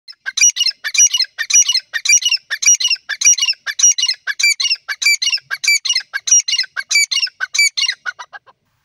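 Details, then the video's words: Grey francolin, known locally as Irani or Dakhni teetar, calling: loud harsh squawking notes repeated in rapid, fairly regular phrases, roughly two per second, high-pitched with strong overtones, continuing steadily throughout. "beautiful irani teetar ki awaz grey francolin sounds"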